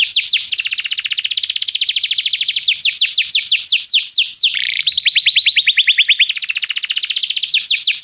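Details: Canary song recorded as a tutor for training a young canary: long unbroken rolling trills of rapid falling notes, a slower steady lower trill in the middle, then fast trills resuming.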